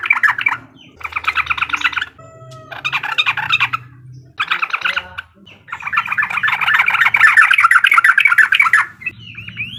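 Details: Sooty-headed bulbul in uklik song to rile an opponent: several short bursts of fast, rattling, bubbly notes, then a long sustained chattering run, with a faint low hum behind.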